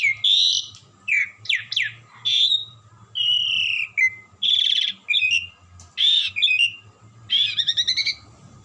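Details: Asian pied starling, a caged bird kept as a singing companion, pours out a varied melodious song without pause: whistled slurs, rising and falling notes and buzzy trilled phrases in quick succession, with a steady low hum behind.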